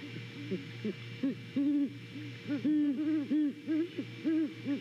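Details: Two Great Horned Owls duetting at a nest in Savannah on a late-November morning cam feed; rapid series of low, even hoots, one voice slightly higher, overlapping closely, with a faint hum underneath.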